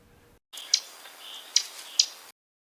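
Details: Lincoln's Sparrow giving its call, three light, smacking chip notes, sharp and high, spaced unevenly over about two seconds against a faint hiss.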